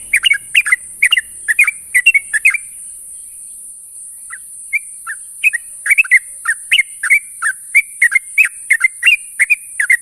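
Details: Morning companion calls of a sooty-headed bulbul: two and a half seconds of quick bubbly chirps, a short lull with a few stray notes, then a renewed lively run of chirps to the end over steady hiss.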